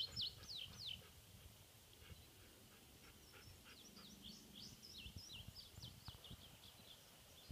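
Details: Indigo Bunting song recorded 9 May 2015 at Harriman: three bright, high, downslurred notes in quick succession, then fainter sweeping notes further off, over a low background rumble.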